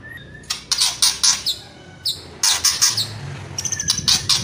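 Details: White-rumped shama (murai batu) giving kretekan and whistling song: clusters of harsh, crackling bursts repeated in quick groups, with a few short thin whistles between them.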